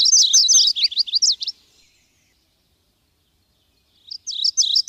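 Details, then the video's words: Subalpine warbler (Sylvia cantillans) delivering a hurried, jumbled twitter of varied high notes for about one and a half seconds. A new scratchy burst begins after a pause of over two seconds. "Canto da AveToutinegra carrasqueira (Sylvia cantillans)"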